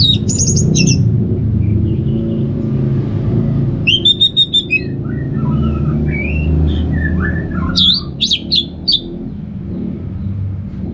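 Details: Orange-headed thrush from Singaraja, North Bali, in open ngeplong song: rapid high chirping bursts alternating with varied, mid-pitched whistled phrases that rise and fall, over a constant low background hum.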